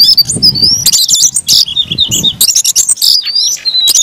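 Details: Oriental magpie-robin in aggressive fighting song, with high wavering whistles and clipped chirps over low fluttering thumps like wing movement.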